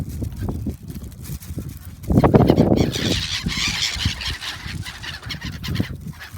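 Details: Gulls drawn in by feeding at Shin-Okayama Port park, Japan, February 3, 2021. Scattered squawks swell into a loud burst of crowded calling around the middle, then settle into a continuing noisy chatter.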